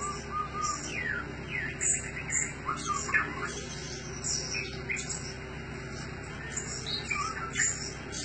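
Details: Decoy blue-crowned hanging parrot with sharp, very high squeaky notes, mixed with busy lower chirps and rising whistled phrases, over a constant low hum.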